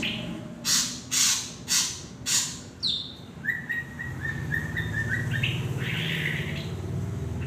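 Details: Drongo in Indonesia gives four harsh, broad rasping notes spaced about half a second apart, then a quick series of short, clear whistled notes at a steady pitch, ending in a buzzy flourish over a low hum.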